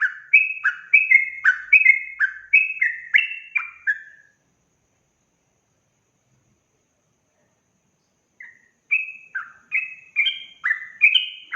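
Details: Yellow-vented bulbul delivering a rapid, emotional song meant to anger other birds: a long run of liquid up-and-down notes, several seconds of silence, then another fast phrase.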